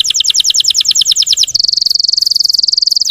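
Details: Russian canary singing as a lure for other canaries: a run of crisp repeated notes about eight per second, then a fast, even, high buzzing trill.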